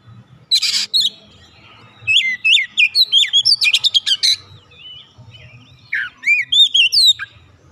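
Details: Energetic oriental magpie-robin song for prompting untrained birds to sing, with a harsh buzzy note, then fast runs of ringing whistles, crisp clicks and looping high slurred phrases.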